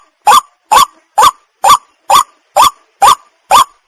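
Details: White-breasted waterhen lure call from rural Bengal, played to attract birds for hunting: eight loud, rough, upward-bending notes in an even series about two per second, each clipped and abrupt, nothing else audible.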